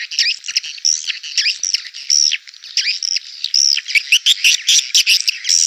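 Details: Swiftlet lure calls for a crowded swiftlet house: bright, high squeaky chirps with down-sliding notes, given in irregular clusters of short bursts.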